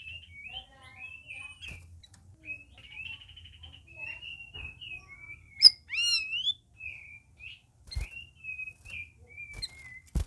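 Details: Several caged red-whiskered bulbuls kept together, in the first week of care, deliver a lively run of short whistled notes and warbling slurs, with a loud rising-falling phrase midway and occasional clicks.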